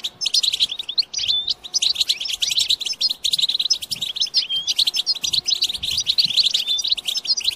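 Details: European goldfinch singing, used to encourage other goldfinches to sing and mate: fast jangling twitters mixed with clear whistled slurs, steady lively chatter from start to finish.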